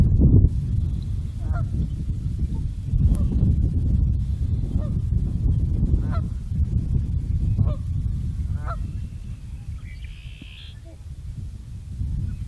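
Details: Trumpeter swan recorded March 15, 2014 in the Nebraska Sandhills: brassy, nasal honks repeated roughly once a second, partly buried under strong low rumbling wind noise.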